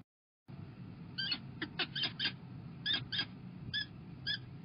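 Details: Peregrine falcons feeding chicks on 20 April 2021 give thin, harmonic squealing notes in about eight short bursts, some doubled, over a steady low rumble of background noise.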